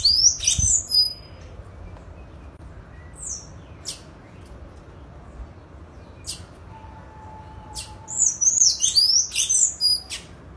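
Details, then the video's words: A free-living sayaca tanager sings in nature, giving squeaky, high twittering phrases in two bursts, at the start and near the end, with quiet outdoor background between. "SANHAÇO CINZA CANTANDO SOLTO NA NATUREZA LINDO CANTO DO SANHAÇO CINZENTO"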